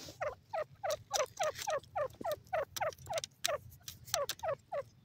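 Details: Grey francolin in a mustard field; a fast series of quieter, downward-sliding notes repeated three to four times a second, over a steady low rumble of background noise.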